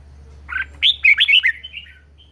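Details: Red-whiskered bulbul, a caged pet, delivering a lively 'ché' phrase: one mellow two-tone chirp, then a fast run of five or six bright, bouncing whistled notes trailing into a softer falling tail.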